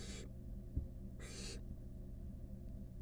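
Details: Two short, broad, breathy hisses from wild barn owl nestlings huddling as a group of five in a nest box, separated by about a second of quiet, with a soft thump and a low background hum.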